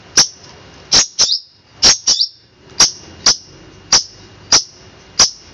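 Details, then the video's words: A long-tailed shrike gives a "crystal shot" style master song of about ten sharp, high, piercing notes, single or in quick pairs, under a second apart, with a faint hiss behind. "cendet suara tembakan kristal"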